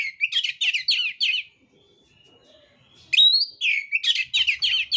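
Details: Mintal-type oriental magpie-robin singing aggressively in fighting mode, with coarse mimicked fills. Rapid runs of repeated chattering whistled notes are broken by a quiet pause, then resume with a sharp high note.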